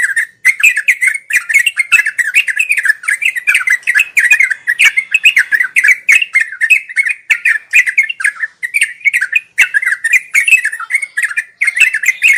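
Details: Long, unbroken ngeropel song of a sooty-headed bulbul, suited to daily tutoring of birds learning their voice; fast rolling chatter of warbled notes repeated several times a second, with few breaks.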